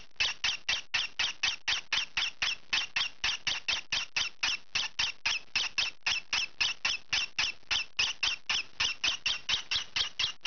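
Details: Noisy juvenile green pied peach-faced lovebird squawking while it scratches, a fast unbroken run of sharp, high, rasping notes, roughly forty over ten seconds, loud and regular in an indoor room.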